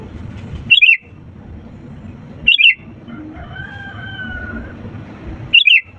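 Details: Sooty-headed bulbul lure song used to get reluctant birds to sing: three short, bright, bubbly phrases, each about a quarter second long, spaced roughly two to three seconds apart over a low background hum.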